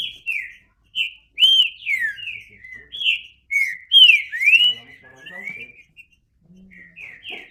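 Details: Green-winged saltator (trinca-ferro) singing loud, clear whistled phrases of slurred notes, some rising and others falling, delivered in quick bursts with short pauses between them.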